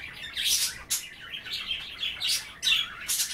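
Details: Indoor pet budgies nibbling wet kale during bath time chatter loudly. Buzzy, warbling phrases mix with sharp clicking bursts, densely packed over a few seconds.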